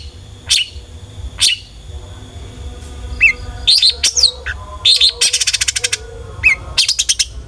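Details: Long-tailed shrike singing vigorously to provoke other shrikes into song. Isolated sharp notes open, then quick downslurred whistles and fast rattling trills follow, with faint dove cooing underneath.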